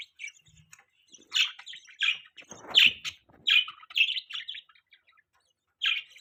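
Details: Pet budgerigars in the morning, chirping and chattering steadily: bright, quick, twittering notes come in clusters roughly every half second to second, with short pauses and no other clear sounds.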